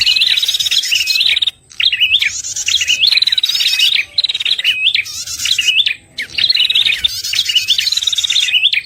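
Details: Prinia lure call used by trappers, an old recording also meant to stimulate prinias that have stopped singing after moult: dense, rapid, buzzy chattering phrases with trilled notes, in bursts of about one to two seconds separated by brief pauses.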